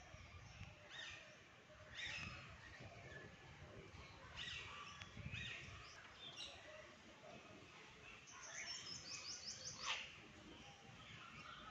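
Sulphur-crested cockatoo giving harsh, raspy screeches in bursts every second or two, with thin high chirps from smaller birds and steady outdoor background noise.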